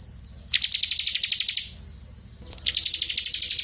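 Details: Ciblek kristal singing 'gacor ngebren' for tutoring murai batu: a thin note, then two long bursts of quick, steady, high chattering notes, each over a second long, with a soft hum beneath.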